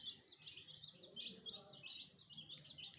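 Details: Domestic chicks newly joined to a hen, kept as pets, chirp in fast uneven high peeps, around two or three a second, many voices overlapping above a soft low hum.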